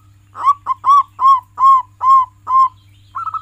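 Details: Local zebra dove, a frequent singer used as a model to coax pet doves into singing: seven rounded, mellow cooing notes in even rhythm, then a quick rolling trill at the end. A steady low hum runs underneath.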